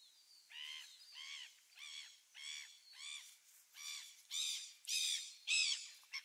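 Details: Gulls recorded 27 December 2017: a run of about nine harmonic nasal calls, repeated roughly every 0.6 seconds, growing louder and harsher toward the end.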